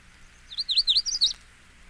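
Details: A Magnolia Warbler song, one of seven examples: a brief, high song of about six quick slurred notes, swinging up and down and ending on a rising flourish, against a quiet background.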